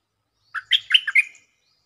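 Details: Lure song of a stripe-throated bulbul: a brisk, liquid burst of five chortling notes that climb and dip, about one second long, clean and close with no other sounds.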